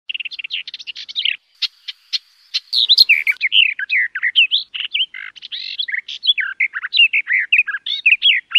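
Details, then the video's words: Garden warbler song: a long, fast, mellow warble of tightly packed rising and falling notes, mostly in a mid-high range, running almost without pause after a few scattered opening notes; no other sounds stand out. "Canto del Beccafico"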